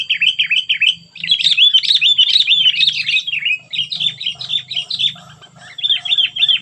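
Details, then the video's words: A very fierce sooty-headed bulbul delivers cengkram-style singing: rapid strings of short, bright, down-slurred notes run together almost continuously, with a low steady hum in the background. "poin cengkram burung kutilang super ganas"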